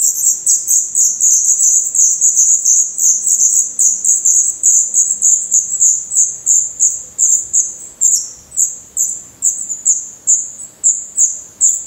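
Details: High, thin squealing from black redstart chicks in a Portuguese nest, eyes open and adult plumage coming in, repeated in rapid pulses that become more separated and sharply clipped toward the end.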